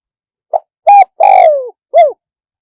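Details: Spotted dove giving a single clear phrase in the one-kuk, wild-voiced style: a brief low note, a held coo, a long coo falling in pitch and a short rounded last note. It is recorded close and otherwise silent.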